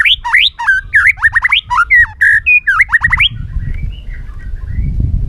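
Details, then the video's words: White-rumped shama, trained to sing many forest voices, pouring out rich varied whistles: swooping slurs, hooked notes and quick chirps in a fast jumble, fading to a soft twitter. "chòe lửa hót nhiều giọng rừng hay"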